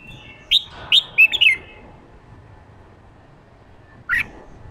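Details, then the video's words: Red-whiskered bulbul, 'ché' vocal style meant to push a newly caught bird into competitive singing: a quick run of four clipped, piercing notes within one second, then a lone harsh note after a pause. "Kích chào mào bổi ra giọng ché chào mào ché kích trống căng lửa ché"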